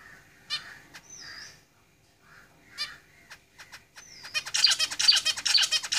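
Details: Zebra finches singing in a cage: isolated nasal calls and a short whistled upslur early on, then a rapid burst of dense, buzzy, high notes repeated quickly in the final two seconds.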